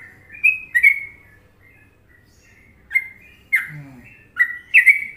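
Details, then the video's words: Sooty-headed bulbul from Indonesia in Trucukan rhythm: short bursts of loud whistled notes separated by a pause of about two seconds, ending in a quick cluster of three notes, with a low brief sound mid-clip. "Masteran Trucuk Indonesia"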